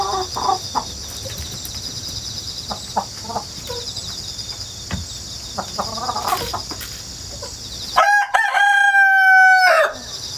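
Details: Rooster raised in the countryside after hatching at home, filmed 1 September 2019 via GoPro and wireless mic; insects chirr throughout with short soft clucks, then a loud two-second crow near the end.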